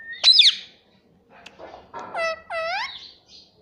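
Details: Pet rose-ringed parakeet giving a sharp squawk, then soft chatter, then two drawn-out, voice-like syllables with falling, harmonic tones.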